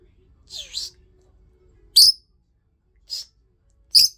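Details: Rosy-faced lovebird giving four shrill, high-pitched chirping calls at irregular intervals, each short and piercing, with near silence between them.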